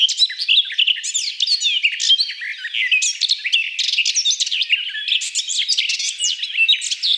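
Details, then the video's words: Song of the Garden Warbler (Sylvia borin): an unbroken, hurried warble of bright twittering and sweeping notes, steady and loud throughout, with no other clear sounds. "Garden Warbler (Sylvia borin)"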